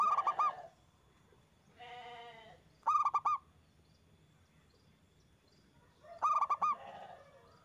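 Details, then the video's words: A loud local zebra dove sings as a lure for other doves. Three bursts of rapid, rounded cooing notes, with a buzzy, nasal call from another bird between the first two bursts and under the last. "Perkutut gacor suara besar bikin ON nyaut buka paruh"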